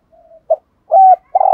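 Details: Spotted dove kept as a decoy bird, calling to provoke wild males: a brief snatch of low, hollow cooing, with a soft drawn-out note, a short coo, then a louder sustained coo, against a quiet background.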